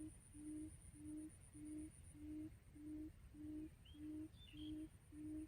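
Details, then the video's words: Quail lure call used for trapping quail: a steady series of low, soft hooting notes, about five every three seconds, very even in rhythm, with a faint chirp from another bird near the end. "Tiếng chim cút mồi"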